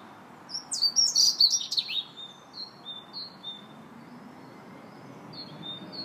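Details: Robin singing in a park on 2 March: a loud burst of high, rapid, varied twittering and warbled notes over the first two seconds, then thinner, quieter high drawn-out whistles spaced apart, over a soft low background hum.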